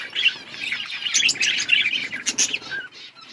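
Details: Chorus of budgies chirping in an outdoor colony: many overlapping high chattering notes and short warbles, with soft wing flutters mixed in.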